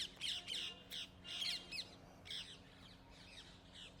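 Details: Cheeky rose-ringed parakeets calling in Gurugram, India, recorded on a camera's in-built mic: loud, rasping squawks in uneven bursts, some overlapping, with a faint constant background hum.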